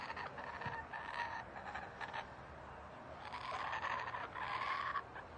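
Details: Laughing kookaburra (Dacelo novaeguineae) laughing in a back yard in Melbourne, Australia: rolling bursts of harsh, chuckling notes in two rising waves over a low background hum.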